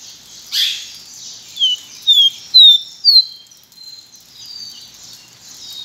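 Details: A pileated finch (Sporophila pileata), known locally as caboclinho branco, gives a short phrase of four or five sharp, falling whistles in quick succession, then goes quiet over a steady hiss.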